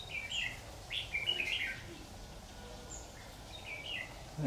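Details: Red-whiskered bulbul recorded while trapping with a decoy bird on 26 October 2019; clipped, chirping whistles cluster in a quick phrase, then softer isolated notes over a faint hiss.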